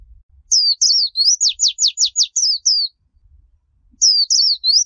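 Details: Líu chòe style song of a Japanese white-eye, recorded clean to teach young birds: a rapid, very high phrase of twisting whistles with a fast series of five steep downslurs, a silent gap, then the song starting again.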